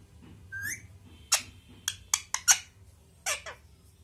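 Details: Parrot with a short rising whistle followed by a series of sharp, harsh squawky bursts and clicks, several clustered around the middle and two more near the end, over a low background hum.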